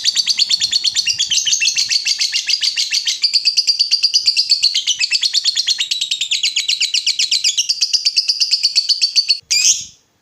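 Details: Long ngekek chatter from a lovebird, meant to set other lovebirds calling in response. A steady rattling run of rapid, shrill notes lasts almost ten seconds, then stops with one brief squeak.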